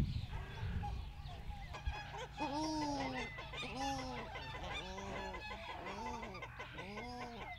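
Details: Australian shelduck (Tadorna tadornoides) giving a series of nasal, arched honks, about one every second after a quiet start, with fainter chatter from other waterfowl behind.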